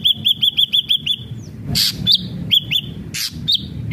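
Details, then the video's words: Lively ashy drongo song meant to prompt other ashy drongos to sing: a quick series of six identical looping whistled notes, then scattered hooked whistles broken by loud harsh scratchy bursts. "srigunting abu abu gacor AMPUH BUAT pancingan srigunting abu biar bunyi"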